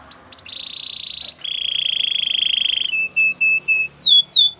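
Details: Canary song for training canaries: a long steady buzzy trill near one pitch, a second lower held trill, then short clipped piping notes and a closing series of fast high descending whistles.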